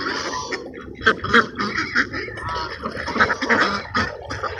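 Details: Ducks at a park during a sunset feeding, several birds giving short raspy quacks in quick irregular succession, overlapping one another.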